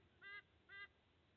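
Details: Nasal, goose-like double honk from a sea eagle at an Australian nest on 30 August 2024 as the male delivers food to two eaglets; two short, level notes about half a second apart.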